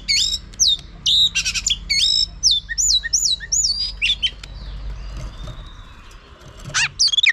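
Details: Female oriental magpie-robin whistling to goad males into singing: clear swooping whistles repeated in a series, then scattered chirps and a quieter stretch over a low background hum.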